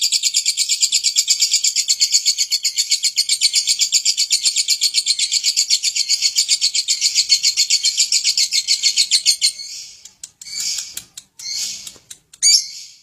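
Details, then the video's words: Lovebird kept for daily use to provoke nearby birds into singing: a long, rapid, high-pitched chattering trill of evenly pulsed notes for about nine seconds, then a few short scattered chirps and pauses. "Lovebird untuk harian pancing bunyi burung lain"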